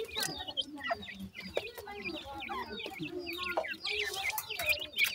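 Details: Baby pheasants peeping as they eat feed; high rising and falling peeps from several chicks overlap, with lower soft chatter and clicking throughout.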